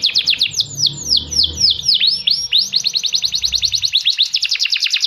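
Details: Lively canary song, loud and clear, meant to encourage singing: quick descending swoops give way to a long rapid trill of high repeated notes, steady and rhythmic throughout.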